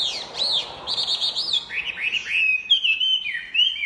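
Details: Chinese hwamei singing energetically: a fast run of loud, clear whistled notes, each sharply slurred up and down, shifting from high arching phrases to lower looping ones with no pause, over a quiet background.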